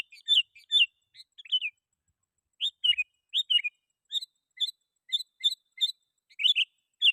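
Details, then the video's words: Sooty-headed bulbul singing to call rivals, a recording used to lure wild bulbuls; short clear whistled notes and bubbly two-part phrases repeated roughly every half second after a brief pause. "Suara Burung KUTILANG GACOR Ampuh 100% Bikin Kutilang Lain Ikut Bunyi"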